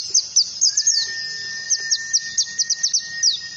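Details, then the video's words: Oriental white-eye singing as training material for other birds learning ngalas: quick bursts of thin, high, falling whistles in uneven clusters, with a steady high tone entering after the first second and holding to the end. "PEMANCING PLECI BAHAN UNTUK BELAJAR NGALAS"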